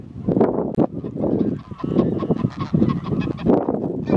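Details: A dense chorus of pink-footed geese at RSPB Snettisham, Norfolk, in March, with many overlapping nasal honks and higher yelping calls, continuous with no pause.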